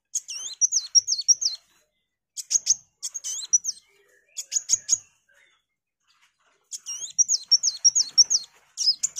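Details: ['Sunbird singing in bursts of high, squeaky, wavering twitters about a second long. The bursts are separated by short silences and a few sharp high ticks. The recording was offered as tutor material for a magpie-robin.']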